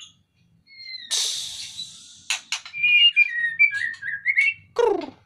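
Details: Caged white-rumped shama, taken out of its cage to lose fat, sings: two thin pure whistles, then a long harsh hissing rasp, then a run of quick varied whistled twitters ending in a falling buzzy note.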